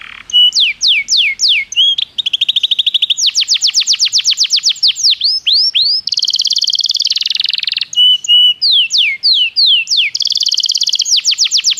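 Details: Belgian canary training song, loud and continuous: alternating phrases of swooping whistled downslurs, rapid rattling trills and buzzy rolls, each phrase lasting one to two seconds, with no other sounds.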